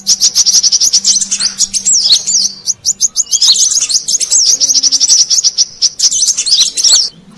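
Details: Brown-throated sunbird played as a lure for wild birds; a nearly continuous, very high chattering stream of quick, slurred chirps and looping notes, with a faint low hum underneath.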